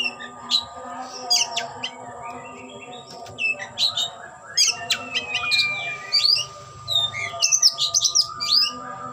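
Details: Displaying oriental magpie-robin (kacer) spreading its tail, delivering a busy song of rapid chips, upslurred whistles and scratchy harsh notes in dense clusters, with a low constant hum underneath.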